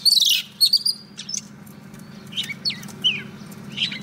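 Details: Female Oriental magpie-robin used as a trapping decoy to call a male gives sharp chirps and short whistled notes, spaced irregularly and loudest at the start, over a low steady hum.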